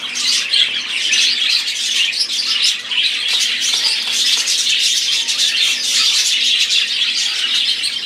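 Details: Budgerigars in full chorus: many overlapping high chirps, warbles and squeaks forming a constant bright chatter.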